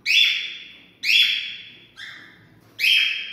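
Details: Cockatiel whistling, sound to stimulate mating: four loud harmonic whistled calls, each starting sharply and tailing off, repeated about once a second.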